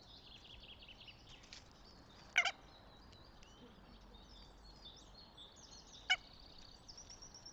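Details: At a northern goshawk nest in Tartu, Estonia, 26 April 2025, two sharp, rasping call notes sound nearly four seconds apart over a steady backdrop of thin, high songbird chatter.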